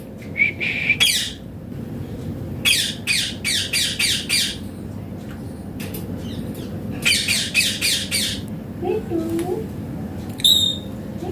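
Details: Indian Green Ringneck parrot giving harsh, shrill squawks in rapid bursts, clustered in groups of three to five. A faint low, speech-like syllable is heard near the end.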